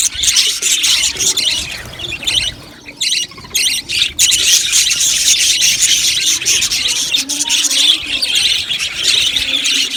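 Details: Budgerigars chirping in an aviary colony: a dense, continuous wash of high chattering and squeaky warbles from many birds, with brief quieter gaps near the third second.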